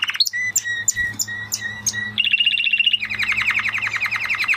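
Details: Spanish Timbrado canary song with evenly repeated whistled notes about three per second, followed by a steady buzzy trill and then a faster rolling trill.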